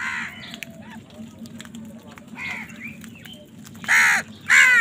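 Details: Crows squabbling over food; quieter scattered caws through most of the stretch, then two loud harsh caws close together at the end over a low background hum.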